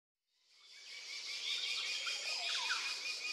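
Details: Eurasian wren singing on the North Yorkshire Moors, recorded with a Sony NEX-FS700; the song swells in from silence as a dense, very high, fast trilling stream that runs on without a break.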